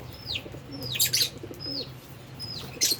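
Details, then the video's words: Albino and Fischer's lovebirds at food and play: a few clear, sliding-down chirps separated by short bursts of wing flapping and soft low cooing. "Lovebirds Chirping Sounds"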